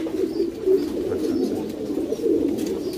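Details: In a loft of pouter pigeons, a domesticated rock dove breed, a short stretch of continuous deep, burbling coos from several birds overlapping with no pauses.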